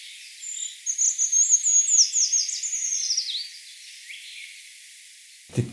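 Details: Eurasian treecreeper song, whose phrases are longer and quieter than a short-toed treecreeper's. A thin, very high run of notes speeds into a descending trill over about three seconds, followed by a faint trailing note and a click.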